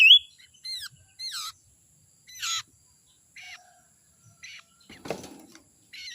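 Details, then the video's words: Common iora (sirtu), a young forest bird used as a lure: separate high descending whistled slurs spaced about a second apart, some softer and fainter, with one brief noisy rustle near the end. "suara sirtu muda hutan ini suara ampuh pancingan"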